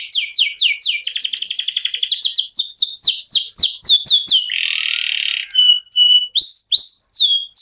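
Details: Canary in long 'ngerol' rolling song, kept as a master bird for songbird contests: sweeping repeated notes, a buzzy trill, more quick slurs, a loud harsh buzz, then clear upswept whistles.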